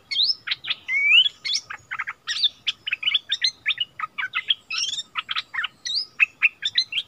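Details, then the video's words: Caged decoy bulbul returned to its old territory on 3 February 2021, dueling in doubled song with a new resident territory holder: a dense, fast run of varied whistled and chirping notes, short rising slurs mixed with clipped chips. "เสียงนกดอกแตงEp.30 คืนถิ่นเก่า!!ดวลเพลงเบิ้ลกับเจ้าถิ่น"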